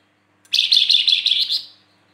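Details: One harsh, buzzy rattling burst from a Flamboyan, lasting about a second, made of rapid rough pulses with no pauses.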